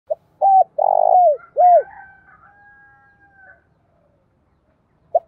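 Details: Spotted dove cooing as a decoy call used to lure and provoke wild doves: a short hoot, a clipped note, a long burred rolling coo and a falling final hoot, followed by faint thin higher whistles.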